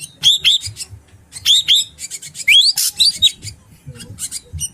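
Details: Ashy drongo calls played as a lure for trapping birds: paired rising whistled notes alternating with short harsh, scratchy chirps in quick bursts, with a faint low rumble underneath.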